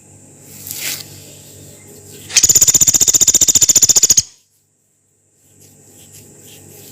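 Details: Rice-collared woodpecker (Dendrocopos nanus) gives a fast, even trill of about twenty sharp, very high notes lasting under two seconds, over a quiet background hiss.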